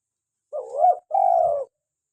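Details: Local spotted dove, a recording meant to lure doves and prompt captive birds to call, gives one soft two-part coo: a short rising-falling note, a brief gap, then a longer sustained mellow note that falls at the end, in otherwise quiet surroundings.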